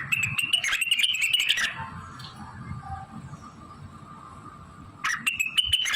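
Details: Blue-winged leafbird in full song with mimicry fills of magpie-robin, canary, prenjak and ciblek: a fast run of high, slightly wavering notes and crisp clicks, a quiet pause, then the song resumes over faint low hum.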